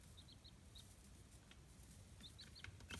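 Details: Chicks raised for free-range egg and meat farming in Kitahiroshima, Hiroshima, Japan, in a home-built brooder; clear high, slightly falling peeps repeat in quick runs of three or four, with a soft background hum and small knocks.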